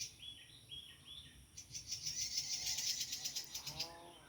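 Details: Prinia in wild surroundings, where many still occur: three clear, repeated mid-high whistled notes, then a fast, rising buzzy rattle of rapid pulses and a softer trailing trill.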